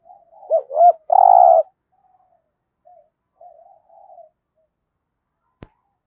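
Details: Spotted dove used as a decoy bird for trapping, giving a short cooing phrase: two brief hooked notes, then one longer, louder buzzy coo, followed by softer faint coos trailing off, and a single sharp click near the end.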